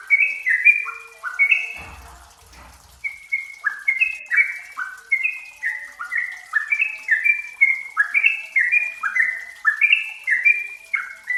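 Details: Yellow-vented bulbul, a songbird valued for its close-tempo song, heard as a lure: a lively, continuous run of rippling notes with a short pause and a low thump near the start, then steady bubbling phrases.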